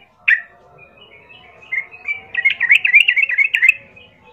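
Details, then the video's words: Lure song of a yellow-vented bulbul meant to make other bulbuls reply and fight: one sharp opening note, a soft warbled pause, then a fast burst of jumbled chirps over faint background hum. "Pasti Nyaut ikut Tarung trucukan bermantal Berani mendengar pancingan trucukan gacor plong ini"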